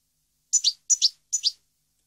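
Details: European goldfinch song recorded in 2015: three quick double chirps, high and bright, each pair slurring downward, with silence between.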